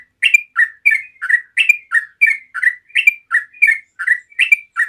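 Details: Relaxed continuous song of a yellow-vented bulbul, played to make other bulbuls sing back. Rich warbled notes pair off high then low, roughly three per second, clean and unbroken.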